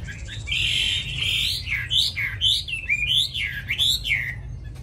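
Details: Tame hwamei singing in its cage in Vietnam: a sustained bright whistle followed by a series of looping, rising-and-falling whistled notes in a steady rhythm.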